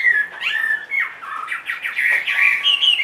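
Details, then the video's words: Chinese hwamei, a big caged bird two and a half years old, singing dense, varied whistles and slurred notes without pause, loud and fairly harsh in places. "HM 450 hót mọi địa hình"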